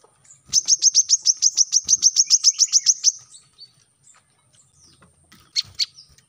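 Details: Brown-throated sunbird song for training captive birds: one fast run of bright, high, evenly spaced notes lasting about two and a half seconds, then near silence with a couple of brief high chips.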